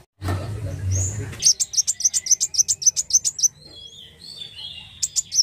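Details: After a brief loud low noise, a black sunbird launches into a rapid, evenly spaced string of sharp, very high notes, followed by faint thin whistles and a few closing chips.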